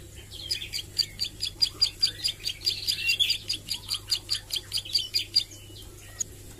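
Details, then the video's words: Plain Prinia (ciblek sawah) learning to sing, practising song and sharp 'nembak' bursts: a long run of rapid, high, dry ticking notes, about two to three per second, steady through most of the clip against a low background hum. "Suara Ciblek Sawah Belajar nglagu dan nembak"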